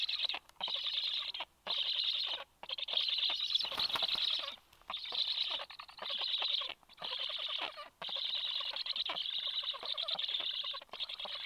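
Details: At a Black stork nest on 26 July around 9:40, the male brings fish to the chicks shortly after the female lands; a sequence of coarse hissing bursts, about one each second, broken by quick silences.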